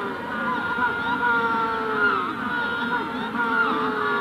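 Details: At Punta Tombo during hatching, adult Magellanic penguins bray near the recorder while the wider colony murmurs farther off; long harmonic notes with gentle pitch dips run continuously, voices overlapping.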